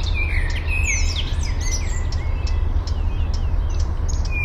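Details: Eurasian penduline tit collecting nest material for its unfinished ring-shaped nest high in a birch, Fysingen, Uppland, Sweden, parabolic microphone; several long, thin, slightly falling whistles mixed with twittering of other birds and a constant low hum.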